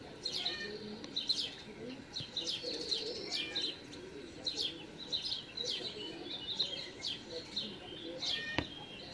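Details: Great spotted woodpecker nestlings begging open-billed as a parent feeds them in a home garden on 13 June 2019 give a continuous, high, wheezy chatter of overlapping chirps, several each second, over a soft low murmur.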